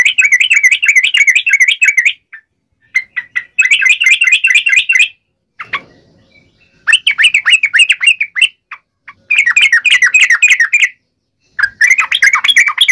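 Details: Yellow-vented bulbul singing an aggressive tarung ngalas uplik ropel song that prompts other birds to reply: repeated bursts of quick, jumbled, bubbling chirps, each lasting a second or two, with brief silences and a faint soft rustle between them.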